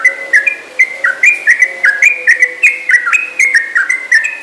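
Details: Trucukan, the yellow-vented bulbul, in full lively song with a long ropel: quick, liquid whistled notes stepping up and down, about four per second, over a faint low hum.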